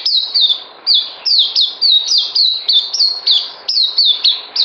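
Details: White-eye in captivity, recorded 9 December 2018 before deworming, gives clear, high-pitched down-slurred whistles in pairs and triplets, evenly spaced with short gaps between phrases.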